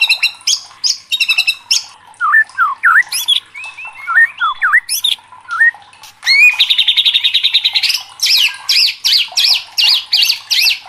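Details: White-rumped shama, a competition bird stirred to sing, mixing sharp chips, zigzag whistles, a fast buzzing trill and a closing series of looping repeated notes.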